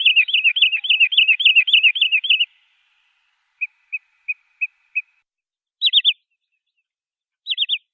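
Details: Wood sandpiper song: a rapid run of looping whistled phrases repeated for over two seconds, then five sharp single whistles spaced evenly, followed by two brief triple-note flourishes.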